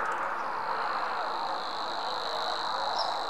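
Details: Savi's warbler giving a monotonous, unbroken mechanical trill at a fixed pitch, somewhat veiled by a loud, broad background hiss.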